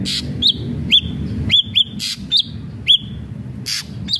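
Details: Single and paired hooked whistles from an ashy drongo spaced roughly half a second apart, alternating with harsh noisy bursts, over low background rumble.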